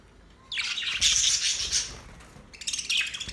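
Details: Australian budgerigars chirping: a sustained run of high, scratchy warbled chatter, then a short pause and a second quicker burst of chirps.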